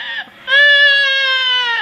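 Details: Parrot imitating a baby crying: a brief broken cry, a short gap, then a long, steady, richly harmonic wail held for over a second that sags slightly in pitch at the end.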